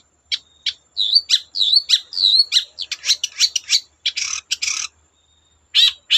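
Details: Warbled twittering phrases and buzzy bursts from a long-tailed shrike, sung to get other shrikes singing. A short pause follows, then a few more sharp notes.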